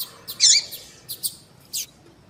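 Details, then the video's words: Female double-collared seedeater giving calls: one loud scratchy high note, then a few brief sharp chirps spaced apart. "Fêmea de Papa capim Chamando"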